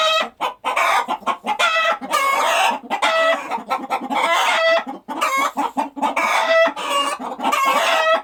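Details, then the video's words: A group of farm chickens keeps up nearly continuous clucking, with short, choppy notes overlapping nasal squawks and occasional brief pauses. "Chicken Clucking Sound Effect"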